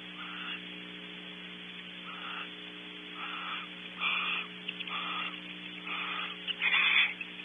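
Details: Barn owls at Audubon Starr Ranch, California, during an hour-long shared mealtime in a nest cavity: harsh, breathy hissing screeches about half a second long repeat roughly every second. They grow louder toward the end over a steady electrical hum.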